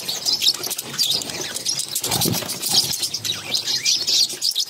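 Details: Six young budgerigars beg while their mother feeds them: steady high, wheezy squeaking and rasping, rapid and overlapping, broken by a few low thumps.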